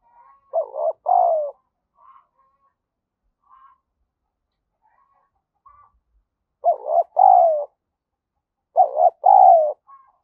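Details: Spotted dove used as a lure, urging and cooing to excite other doves: three paired low coos, each a short note and a longer falling note, spaced two to five seconds apart, with faint soft notes between.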